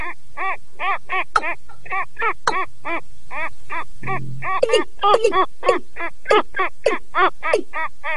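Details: Rail pair, male and female, calling in unison from a lure speaker: steady series of loud, nasal, harmonic notes about twice a second, then overlapping faster notes from a second bird, plus a brief low hum.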